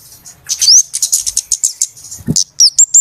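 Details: Flowerpecker lure call for bird trapping: a short run of sharp, very high chips and thin rising whistled slurs, spaced a few per second, over a quiet background.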